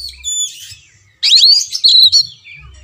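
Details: Brief Oriental magpie-robin song for prompting a quiet caged bird: a faint whistled opening, a pause, then a dense, bright burst of tangled whistles ending in a soft falling note.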